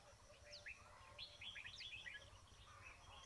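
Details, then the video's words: Red-whiskered bulbul voices recorded while trapping birds: a lively run of sharp, slurred chirps bunched around the middle, with scattered single notes before and after and a low background drone. "Bẫy chim chào mào"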